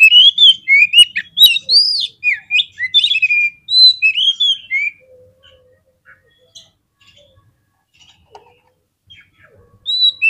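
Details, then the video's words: Oriental magpie-robin lure song for provoking birds to fight: about five seconds of rapid whistled and slurred phrases, then near silence with faint distant notes, and a new whistle at the end. "SEKALI PLAY KACER KALIAN PASTI LANGSUNG NGOBRA !!! KEPANCING EMOSINYA FULL FIGHTER"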